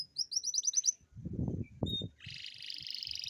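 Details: Atlantic canary song used to coax lazy canaries into singing: a quick run of repeated high notes, low thumping knocks in the middle, then a sustained fast rolling trill.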